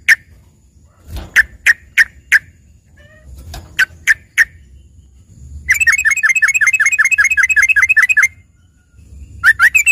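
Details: Trucukan, the yellow-vented bulbul, as green leafbird filler song. Spaced sharp chips lead into a fast rattling trill of about twenty downslurred notes lasting over two seconds, then more chips. Faint low rumble throughout.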